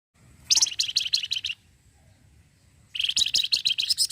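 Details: Lively orange-headed thrush in energetic song, a rapid chattering 'cretetan' style said to set other birds answering; two dense bursts of fast, buzzy, high chirps about a second long, separated by a quiet pause.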